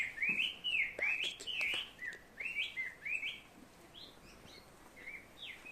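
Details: Unidentified bird whose call the recordist hears as "barbecue": a series of bright, wavering chirped notes in quick two- and three-part phrases, loud at first then fading, over steady outdoor background noise.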